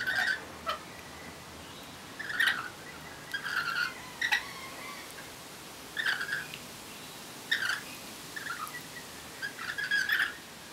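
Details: Lorikeets eating oranges on a back deck give short, harsh, grating screeches in irregular bursts every second or two, with brief gaps of near quiet between them.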